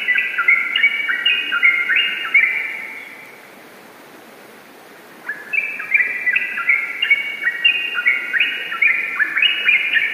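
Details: Yellow-vented bulbul singing in the rapid, continuous 'ropel gacor' style: bubbly, warbled bursts of quick stepped notes tumbling up and down, one burst of about three seconds, a two-second pause, then a longer burst, over faint steady hiss.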